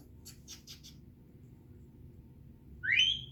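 An African grey parrot gives four quick, soft clicking chirps, then a loud, sweeping whistle that climbs sharply in pitch, over a low indoor hum.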